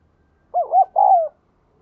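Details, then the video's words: Captive spotted dove with a 'đồng kim' voice, a very diligent cooer, played to spur newly caught doves into cooing: one mellow, low coo phrase of three wavering notes, the last drawn out and falling, in a quiet setting. "Anh em đang buồn chán vì chim bổi nuôi hoài không nổi, vậy hãy mở vdeo này nổi ngay"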